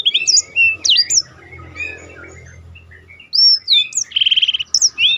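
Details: Black-throated canary singing a rolling song for contest-bird training: twisting whistled notes, a pause with low hum, then renewed slurs and a buzzy trilled phrase.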